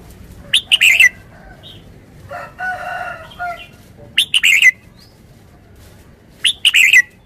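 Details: Red-whiskered bulbul giving quick clusters of clear, warbling notes in three separate bursts, with a scratchy rustling noise in the gap and a steady low background hiss.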